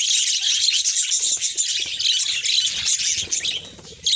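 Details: Budgerigars of assorted colour mutations twitter busily, with quick, irregular chirps and warbles. The chorus thins and softens toward the end, then a sharp squeak returns.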